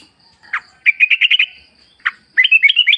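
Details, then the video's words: Wild yellow-vented bulbul, nature sound used to lure a kept bird into answering. Short rasping bursts alternate with quick series of bright bubbling notes, ending in a rising warbled phrase. A soft constant high tone lies behind. "pancingan trucuk gacor ngalas full suara alam ampuh agar bunyi jadikan trucukmu gacor nyaut"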